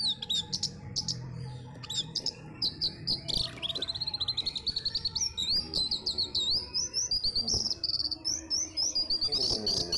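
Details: Caged orange-headed thrush kept as a pet, singing shortly before a songbird contest: a varied run of high whistled notes and rapid chattering phrases, mostly steady and bright, with some faint low background noise.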